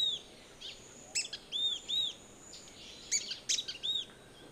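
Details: Yellow-bellied tyrannulet (Ornithion semiflavum), call.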